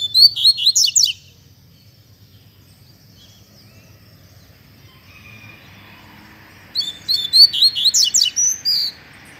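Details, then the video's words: Double-collared seedeater, caged, giving Mack-type song: a second of rapid high slurred notes, a long quiet gap with faint hum, then another lively run of repeated high whistled and buzzy notes. "Coleiro Mack Canto Fibra Dando um Show!!!"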